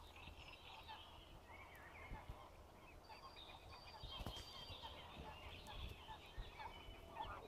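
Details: Wild geese family with goslings on a pond, Biały Ług, 1 May 2019: adults give short nasal calls while the young's thin, high peeping runs through them, over a low steady rumble.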